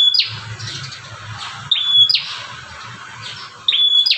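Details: An agitated, combative bar-winged prinia outside a cage gives sharp, high notes: a clear whistle and a quick snapping sweep, repeated about every two seconds over a faint low hum; used to provoke other prinias into singing.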